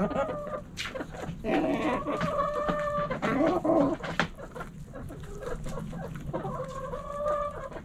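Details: Backyard hens clucking: a flock gives overlapping drawn-out nasal calls with steady harmonic bands, interspersed with short clucks and a low background hum.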